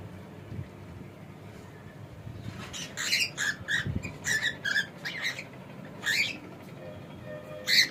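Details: Male cockatiel in a home setting chattering a rapid series of short rasping chirps and squeaks, with low rumbling room noise throughout.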